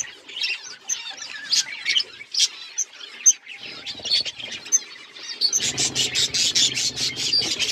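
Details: Flock of budgerigars eating food, giving a steady stream of sharp, high chirps and warbles that swell into dense, overlapping chatter in the last couple of seconds.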